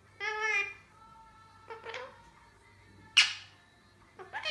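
A rose-ringed parakeet talks in four short, voice-like word bursts about a second apart, one of them a harsh, raspy squawk, over a low steady indoor hum.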